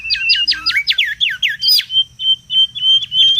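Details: Mangrove whistler recorded wild for luring and tutoring: a quick burst of steep falling trilled notes, then a series of short high whistled pips repeated about every quarter second.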